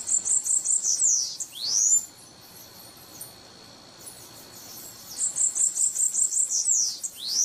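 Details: Guriatã-de-coqueiro singing: a fast chattering series of very high thin notes ending in a sweeping downslurred then rising whistle, repeated after a pause of about three seconds, over faint background noise.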